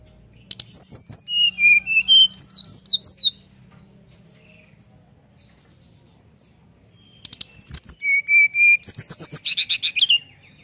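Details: Brown-chested jungle flycatcher singing nyuling to provoke others to answer: two bursts of about three seconds, each a fast series of whistled notes, wavering and swooping, the second ending in a buzzy descending phrase, with silence between.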